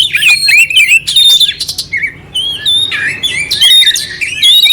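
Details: Kacer, the oriental magpie-robin, in clear song with rough fill-ins meant to rouse another bird; dense run of whistles, rapid scratchy notes and slurred high phrases, nearly continuous, recorded indoors.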